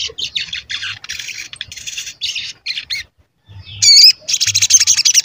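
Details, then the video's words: Actively calling sogon used to trigger singing in other sogon and to lure them in the wild: blocks of harsh high chatter, a brief silence, a loud squeaky rising whistle, then fast repeated buzzy notes. "Pancingan Sogon Agar Bunyi dan Emosi, Sogon Bahan Auto Nyaut dan Cepet Rajin Bunyi"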